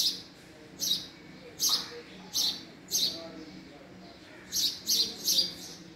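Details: Repeated sharp, high chirps of a house sparrow, about one per second, then bunched into a quicker cluster near the end, over a quiet background.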